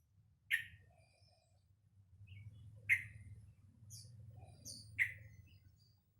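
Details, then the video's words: Juvenile caged sooty-headed bulbul, obtained in November 2018 aged two months, learning to sing. Single sharp chirps come about every two seconds, mixed with faint high squeaky notes over a low hum. "Burung Trucukan Uda Belajar Ngeropel"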